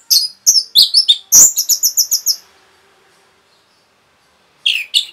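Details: Dense, provoking song of an Orange-headed thrush: a few sharp, high chirps, then a rapid series of about eight evenly repeated piercing notes, followed by a quiet gap and a final scratchy burst.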